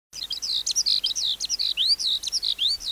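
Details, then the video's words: A wild-caught adult skylark sings a rapid, unbroken stream of high, varied chirps, trills and slurred whistles, tumbling on with barely a pause. "Sơn Ca Bổi Hót Giọng Cực Hay"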